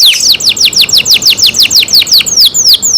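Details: Kept canary singing one even tour of clear, downward-sweeping whistled notes. The notes are repeated about five times a second and form a bright, loud rolling trill.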